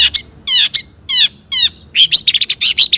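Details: Long-tailed shrike song used to stimulate other shrikes: loud raspy harsh phrases alternating with squeaky high notes, ending in a dense run of chattering chirps.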